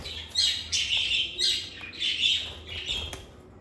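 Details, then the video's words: Pet lovebirds chirping in a calm, stress-free setting: repeated loud, harsh high-pitched chirps in quick bursts about every half second, over a faint low background hum. "Lovebird Singing & Chirping Sounds"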